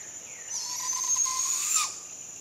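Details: Barred owl fledgling calling for food at sunrise with a long, scratchy hiss of about one and a third seconds. It grows louder toward the end and finishes with a quick upward inflection, while insects drone continuously at high pitch.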